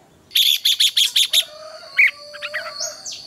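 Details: Morning competition singing of a red-whiskered bulbul, played to train birds: six evenly spaced, loud clipped notes in a row, followed by softer scattered chirps and a faint rising whistle, with a constant high whine.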